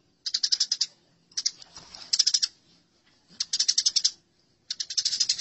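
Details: House sparrows fighting, recorded as masteran: four loud bursts of fast, scratchy chirping, each under a second long, separated by short pauses with soft chatter.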